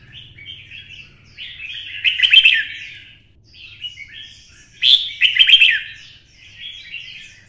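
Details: A 'twisted voice' red-whiskered bulbul, stimulated to sing for fighting, repeats a pattern of soft warbles building into a loud, rich, buzzy burst, heard twice about three seconds apart.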